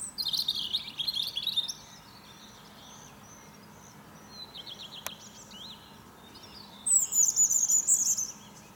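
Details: Morning trills of a European robin in a fir tree: a bright, rapid, jingling phrase, a quieter stretch of soft high notes with one sharp click, then a very high, shimmering trill.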